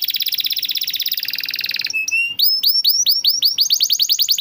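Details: Canary tutor song to encourage non-singing canaries: a fast dense buzzing roll, a short flat whistle, then a series of sharp upswept chirps quickening toward the end.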